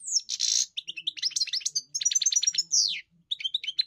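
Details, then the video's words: European goldfinch song from a bird kept for song training: a buzzy nasal rasp opens a quick twitter, then a rapid series of repeated clicks and a descending slurred whistle, over a faint low hum. "Enjoy the experience of the elegant singer GOLDFINCH"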